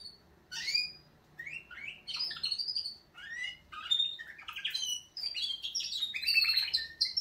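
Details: Canaries in a wake-up song, bursts of rising and falling whistled notes and quick trills delivered in short phrases separated by brief gaps, growing denser toward the end.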